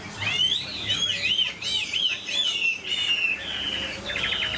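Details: Pet Chinese hwamei with a strong, good voice singing clear looping whistles that swoop up and down in repeated arcs, ending in a flat whistle and a rapid trilled burst.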